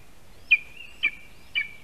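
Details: Lesser spotted eagle chick at a spruce nest in Latvia, being fed breakfast by its father, 8:14 AM, 12 July 2021, nest camera: three short high piping notes, each sliding into a sustained thin whistle, about half a second apart.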